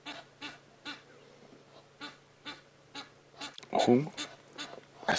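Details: Egyptian geese, seen on a 7:30 safari drive in the Djuma Game Reserve area on 22 August 2016, give harsh, breathy honks about twice a second with a louder burst near the end, while a man talks.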